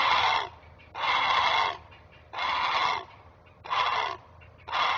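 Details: Great blue heron parent warning while protecting its young at the nest: five harsh, scratchy squawks, each under a second, repeated fairly evenly about every second.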